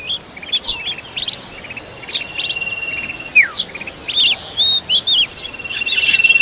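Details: Oriental magpie-robin feeding young, heard as brief rising and falling whistles, short chirp trills and a sustained flat whistle, repeated in spaced bursts over a faint insect-like hiss.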